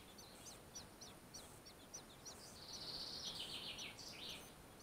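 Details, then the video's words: Nesting fieldfare beside a river, 18 June 2015: a string of sharp high chips, then a rising-and-falling harsh chattering rattle in the middle, with faint chips continuing afterwards. "Дрозд рябинник ГНЕЗДО"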